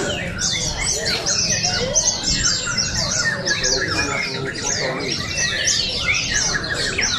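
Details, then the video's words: Competing white-eyes at the 2023 Pesta Bederun open singing contest in Balingian, Sarawak: a busy, unbroken stream of sharp high chirps and warbled twitters from several birds at once, low crowd noise underneath. "Juara Pleci | Pertandingan Seni Suara dan Gaya Burung Terbuka Sarawak Pesta Bederun Balingian 2023"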